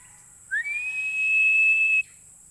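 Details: Philippine eagle giving a single loud, clear whistle that rises sharply, then holds a steady high pitch for about one and a half seconds before stopping abruptly; otherwise quiet.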